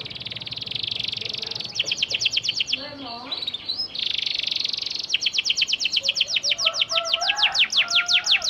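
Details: Panda canary in full lure song for stalled canaries: dense buzzy trills and rapid repeated high down-slurred notes, broken by a short varied phrase, with faint lower whistles in the background.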